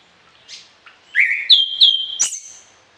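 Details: Orange-headed thrush singing a varied song meant for tutoring other songbirds at morning and evening: two soft chips, then a loud clear whistle rising and levelling off, broken by sharp clicks, ending on a higher piercing note.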